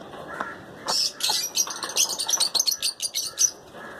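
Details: Lutino lovebirds in pairs call in a fast series of piercing, high chirps and squeaks, about a dozen clipped notes in under three seconds after a brief quiet start.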